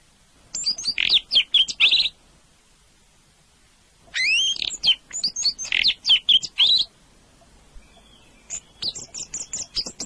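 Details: Orange-headed thrush, a melodious singer, delivering three loud bursts of fast, varied whistles and chirps, with pauses of about two seconds between them; the last phrase is softer and higher, background otherwise quiet.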